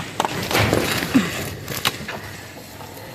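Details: Soft speech and scuffing footsteps sound over a steady background hiss, with no animal calls.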